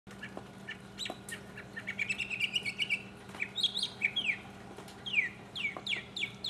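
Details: Mockingbird singing solo, recorded in 2015: a varied run of whistled and chirped phrases, some rising and some falling steeply, each repeated several times in quick succession, over a steady low hum.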